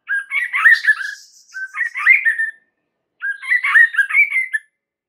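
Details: White-rumped shama lure song to make other shamas answer: three bursts of jumbled warbling, chattering notes separated by short silences.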